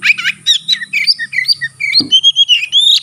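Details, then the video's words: Tail-spreading Oriental magpie-robin in full song, meant to set other magpie-robins singing: rich, rapidly changing whistled phrases, short rasping notes, a brief harsh sound midway, and clear rising whistles at the close. "burung kacer gacor buka ekor sekali bunyi langsung bisa merangsang kacerlain gacor"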